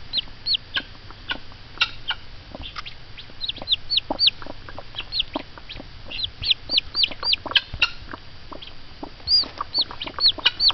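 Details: Excited mother hen responding to peeps from hatching eggs, giving rapid, irregular soft clucks throughout while many high descending chick peeps answer in clusters.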